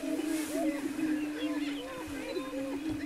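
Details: Greater prairie-chickens at a lek outside Wray, Colorado, in April 2011: a steady deep hum with frequent short arched whooping notes repeating roughly twice a second and soft background rustle.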